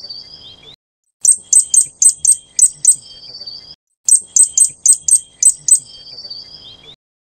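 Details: A Fire-breasted flowerpecker of the Taiwan subspecies Dicaeum ignipectum formosum gives two bursts of six or seven very high, sharp ticking notes in quick succession, each followed by a thin high trill.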